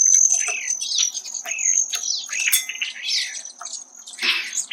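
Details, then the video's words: Male Hairy Woodpecker at a yard suet feeder in Chaffee County, Colorado: quick, sharp falling notes in a run, then a harsher burst near the end, with a steady thin whine underneath. "What a Hairy Woodpecker Sounds Like Up Close"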